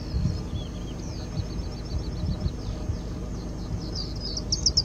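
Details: Corn bunting at Sandwich Bay Bird Observatory sings a high, dry phrase: ticking notes that speed up into a jangling, glassy trill, over steady low wind and distant traffic rumble.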